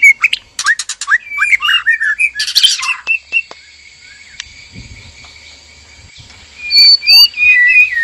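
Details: Breeding-cage pair of white-rumped shamas, male and female, singing to encourage mating: quick chattering notes and a harsh burst, a quiet stretch, then rich slurred whistles returning.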